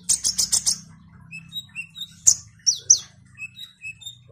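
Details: Olive-backed sunbird singing vigorously: four rapid buzzy trill bursts open the phrase, followed by soft high whistles, a sharp chip and two downslurred squeaky notes, over faint low humming.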